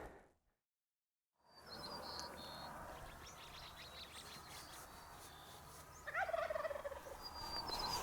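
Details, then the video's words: Morning on public land in western South Dakota: a male wild turkey gobbles once, not far off, a loud rapid rattling burst of about a second, with faint small-bird chirps behind; turkey. "As you can hear, there's a bird gobbling not too far away from me."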